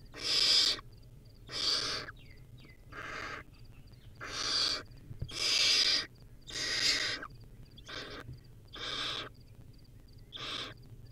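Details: Wild barn owl owlet at a nest, feeding on a rodent: a harsh, broadband hissing screech repeated about every 1.2 seconds, roughly nine bursts, over a steady low hum.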